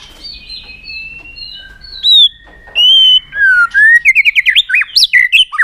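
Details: Rousing many-voiced song of a white-rumped shama used to train birds: soft whistled notes, then loud, pure, falling whistles. A rapid series of bouncing, wavering trilled notes ends the phrase.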